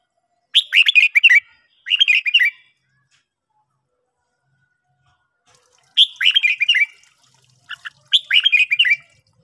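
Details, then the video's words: Red-whiskered bulbul singing in the morning, used for training birds to sing: short, bright, rapidly warbled phrases of slurred whistled notes, delivered in four bursts separated by pauses of about a second to three seconds, against an otherwise quiet background. "luyện chào mào hót buổi sáng"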